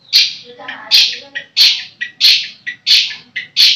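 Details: Long-tailed shrike, a kept songbird, giving loud harsh squawking notes repeated roughly every 0.6 seconds, each followed by a softer short note.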